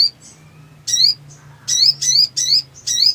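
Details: Sogon, the Black sunbird, in ngleper song to prompt silent birds to sing: a soft high note, then a quick string of loud, rising, slurred whistles repeated in rapid succession, with a low hum behind.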